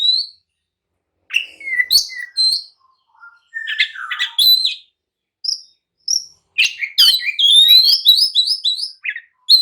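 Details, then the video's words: Agitated oriental magpie-robin song meant to provoke rivals into answering and fighting: varied whistled phrases, sharp chirps and rapid rising trills, building to a dense run of notes near the end. "kicau kacer gacor emosi! jadikan kacer loyo langsung nyaut dan tarung emosi"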